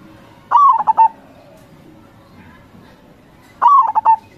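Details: Local crossing zebra dove from Indonesia in strong song, two phrases roughly three seconds apart, each a long mellow falling note followed by three brisk staccato coos, over low steady noise.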